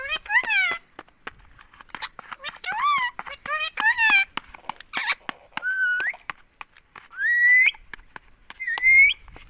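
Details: Ring-necked parakeet, a green pet bird in India, nonstop saying "mummy": nasal word-like syllables with falling tone, then three rising whistled calls spaced over several seconds, light clicks throughout.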